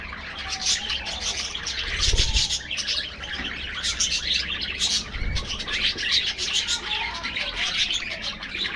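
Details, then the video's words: A flock of budgerigars feeding in an aviary in the afternoon, giving dense overlapping high chirps and warbles in bursts, with a couple of dull low thumps in the background. "Budgies Enjoying Afternoon Diet"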